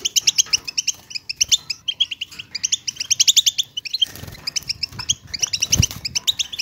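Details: European goldfinch chatter for stimulating mute goldfinches: fast, sparkling twitters packed tightly together, a short lull around the fourth second, then the jingling returns with a soft thud.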